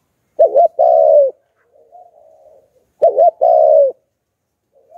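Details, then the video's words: Spotted dove kept as a decoy for wild doves, calling in the Hạp Bổi style: two strong double coos roughly two and a half seconds apart, each followed by a soft, low trailing coo. "Chim Cu Gáy Giọng Hạp Bổi - Kích Là Gáy 100% -Tiếng Cu Gáy Kích Mồi"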